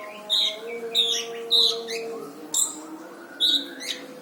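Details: Brown-throated sunbird singing on a training recording for cage birds, stated to be dense with harsh bursts; short bright squeaky chirps come in separate bursts spaced roughly half a second to a second apart over a faint low drone.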